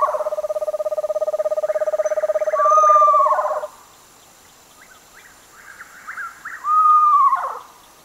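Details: Screech owls calling: a low, evenly pulsed trill ends abruptly after a clear descending whistle, followed by soft whinnying notes and a second clear whistle that falls away.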